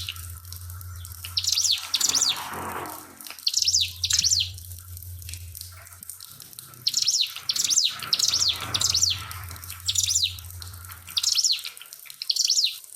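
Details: Pied fantail song for bird training, mixed with the sound of trickling water: bursts of two or three high, clear whistles shaped like arches, repeated about every second or two. A low droning hum and splashing water run throughout.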